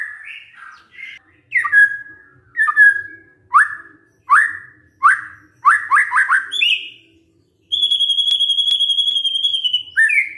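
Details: Magpie-robin song played as a lure for a silent bird: separate sharp, downward-sweeping whistles repeated about every second, a quick cluster of them, then a long, even, buzzy trill held at one pitch.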